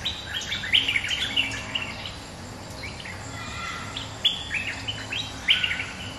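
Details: Resident bulbul calling hard after being matched with a rival, answering it with bright chirping phrases. Short clusters of sharp, high notes come in bursts about every second, with quieter twitters between them and a faint hiss behind.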